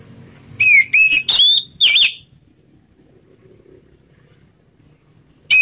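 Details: Slow ngeplong song of an orange-headed thrush, locally anis merah: a burst of four loud ringing whistles, the final one wavering, then a long quiet pause before another whistle starts at the very end.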